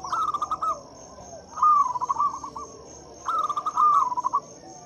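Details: Zebra dove of a local line giving lure song for hesitant doves: three rolling bursts of fast staccato coos about one and a half seconds apart, over a constant high-pitched insect drone.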